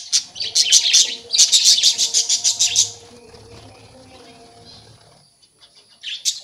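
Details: Colony of breeding budgerigars with babies just emerged: a fast run of rhythmic, buzzy high chirps for about three seconds, then near quiet with a faint hum and a last brief chirp.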